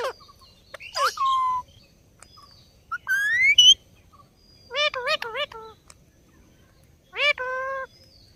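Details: Rose-ringed parakeet, kept as a talking pet, utters scattered nasal phrases. A sliding whistle is followed by a cluster of rapid wavering syllables, then a final rising note with a flat tail.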